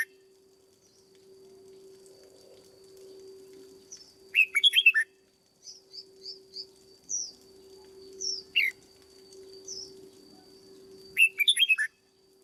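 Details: Red-whiskered bulbul kept caged for lure-bird training sings three loud, bubbly warbled phrases several seconds apart, with soft, thin high chirps between them and a continuous low hum.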